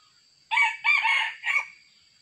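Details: Fierce Sumatran red junglefowl rooster crowing while being trapped with a decoy, one clipped crow in three bursts: a brief opening syllable, a drawn-out raspy middle, and a short closing note, against faint high electronic hiss.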